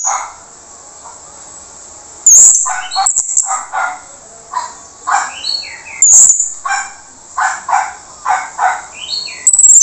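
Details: Harsh-voiced Orange-headed thrush song, played as a lure to draw a response from silent birds. Rough, grating notes repeat in uneven bursts, broken by loud sharp high squeaks and short sliding whistles, with a constant high background hiss.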